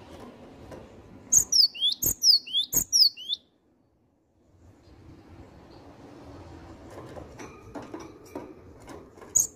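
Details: Cinereous tit singing constantly: a brief burst of three rapid high whistled phrases, followed by silence, low indoor noise and a final single note.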